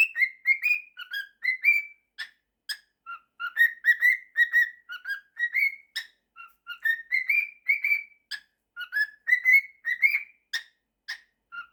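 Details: Male pet cockatiel singing a mashup of 'September' and 'If you're happy and you know it', with short whistled notes around mid pitch, some rising, in uneven bursts about twice a second with brief gaps, indoors.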